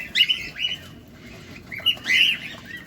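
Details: Cockatiel recorded close up while feeding, giving short harmonic chirps, a pair near the start and a few more after a quiet gap, with faint background rustle.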